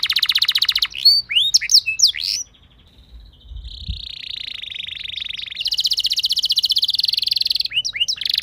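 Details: Canary lure song to get other canaries singing: an opening fast trill, scattered sharp chips and swept notes, a softer steady buzzy passage, then a loud rapid roll with a few final chips.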